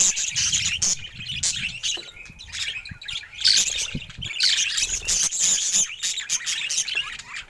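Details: Cheerful budgerigar giving a lively, fast jumble of bright squeaks and rasping chirps, rising and falling in loudness across the whole stretch.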